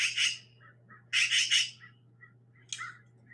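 Black-billed Magpie giving harsh, raspy chattering squawks in bursts, with a few soft clucking notes between them over a steady low hum.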